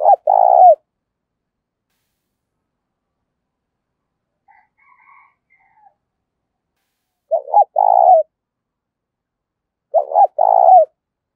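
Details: Spotted dove cooing as a lure to provoke rivals to fight, in the style called giọng thổ; three loud husky coo phrases, each a short stuttered double note then a longer rolling coo, about every five seconds, with silence between.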